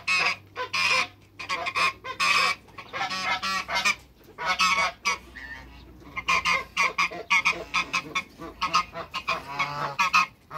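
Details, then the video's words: African geese, a trio of two males and one female kept in a backyard, honk in dense raspy bursts with a faint low hum beneath. "TWO MALE ONE FEMALE AFRICAN GEESE AFTER THE CREATE WATERBIRDS IN THE BACKYARD"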